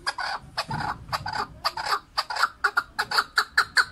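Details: Chukar partridge, a male keklik, recorded in 2021, giving rough clucking notes that settle into an even series of sharp chuk calls, roughly three per second.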